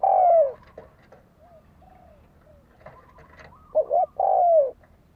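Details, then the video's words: Spotted dove kept as a decoy bird, cooing to provoke fighting: a long loud descending coo, then soft faint notes, then a quick double note and another long falling coo. "Tiếng chim cu gáy đấu bổi dùng kích mồi cực chuẩn"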